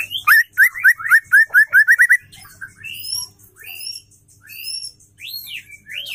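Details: Female white-rumped shama song, used to stir male shamas into singing and raise their fighting mood: a quick run of about ten clear whistled notes near the same pitch, then scattered higher rising and slurred whistles.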